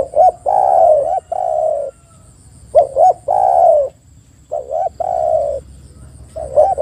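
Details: Spotted dove, played to make silent doves call: about four rhythmic phrases of paired short coos and a long downward-gliding coo, fairly evenly spaced.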